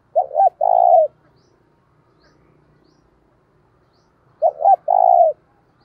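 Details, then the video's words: Decoy spotted dove calling to incite fighting: two phrases about four seconds apart, each a pair of quick low notes followed by a drawn-out vibrating coo. "Chim Cu Mồi - cu gay kich boi nhanh noi gù hieu quả, cu gáy thúc đấu"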